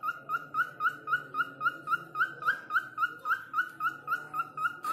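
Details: Whistling cockatiel, locally called falk, said to call a person's name and sing melodiously: a brisk run of about eighteen bright, identical whistled notes, each with a slight upward flick, repeated steadily roughly four times a second.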